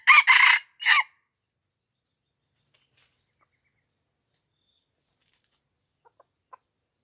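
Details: Red junglefowl crowing during a luring session near houses at Lamteuba, Aceh: one short, harsh crow of four clipped notes lasting about a second, then near silence with faint high bird notes and soft clicks.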